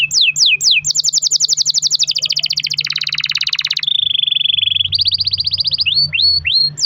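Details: Canary in full long-roll song meant to prompt other canaries to sing: fast high trills and buzzy rolls change through several pitches, some lower and denser, then falling slurred whistles, over a faint low hum.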